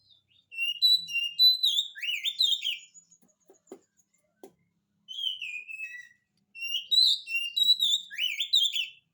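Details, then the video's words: Oriental magpie-robin singing energetically ('gacor') as a lure for birds that sing little: three bursts of clear whistles, trills and sharp upslurred chirps, broken by brief quiet gaps with faint clicks. "kacer gacor, cocok untuk pancingan kacer malas bunyi, jamin 1000% langsung nyaut"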